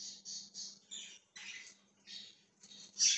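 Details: Budgerigar recorded January 20, 2023, giving rapid raspy chirps in quick clusters, ending on a loud squawky note, a constant low hum in the background.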